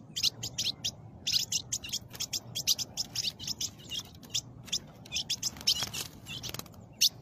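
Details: Caged blue-black grosbeak in north-eastern Brazil while a snake attacks its cage: rapid, sharp, high chirps in uneven bursts, several per second, over a steady low hum.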